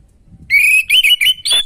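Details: Orange-headed thrush song for stimulating a bird lacking breeding drive: a sustained whistle, then a rapid series of wavering whistled notes ending on a high held tone.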